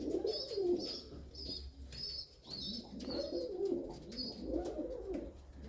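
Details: Female pigeon, unpaired for a long time, put back with her former mate; low rolling coos repeat about every one to two seconds, with thin high chirps overlapping throughout, indoors.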